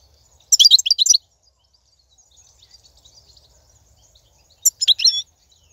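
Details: European goldfinch in the wild, 2019, song used to motivate caged birds: two separated bursts of tinkling, high twittering notes with quiet gaps between.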